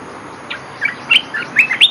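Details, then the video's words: Olive-winged bulbul lure song: a quick series of bubbly, warbled notes that rise and fall in pitch, with several louder chirps bunched near the end. "Suara pikat merbah belukar gacor"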